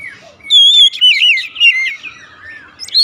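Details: Short 'nembak' burst from a kacer (Oriental magpie-robin): a long clear whistle followed by loud warbled, wavering notes that slide downward, ending with a rising squeak.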